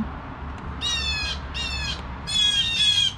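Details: Harsh, buzzy jay-jay squawks from blue jays sounding the alarm at 7 AM, three loud grating bursts in quick succession over a low background rumble.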